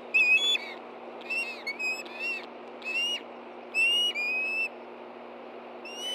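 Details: Hungry Ospreys at the Hellgate Canyon nest, Montana, morning of 24 August 2013, reacting to an incoming fish: shrill whistled notes in separate short bursts, several slurring upward, the longest held for nearly a second.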